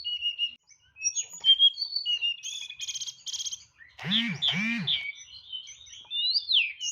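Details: Caged white-rumped shama (tledekan) singing in nyeklek style with full isian fill-ins: high whistled notes and rapid trills, then two loud harsh descending calls with deep harmonics mid-phrase, followed by quieter whistles.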